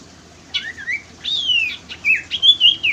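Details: Common iora (sirtu) song used as a lure to stir a caged bird that has stopped singing: clear whistled phrases, a dipping note, then a long falling slur, then a quick run of rising and falling whistles with short breaks.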